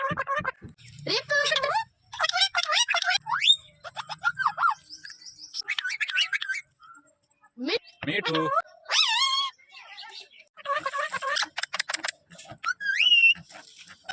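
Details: Ring-necked parakeet talking as a greeting: rapid high-pitched mimicked speech in short bursts, with warbling syllables, repeated phrases like "me too", and a few sharp whistled notes between the bursts.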